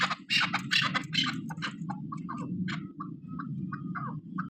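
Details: Female Chukar partridge kept as a hunting bird; opens with loud harsh, broadband bursts, then a run of short clipped notes repeated quickly at an even mid pitch, over a constant low hum.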